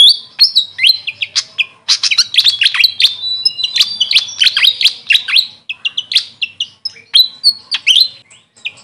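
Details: Grey fantail (local name Maria Capra): a fast, continuous jumble of piercing chirps and short wavering whistles, barely pausing across the clip.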